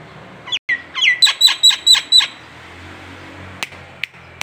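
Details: Local Nias hill myna used as a training tutor: a few sharp slurred notes, then a quick run of six loud, harsh, rich notes about every quarter second, followed by a pause and scattered clicks in a quiet room.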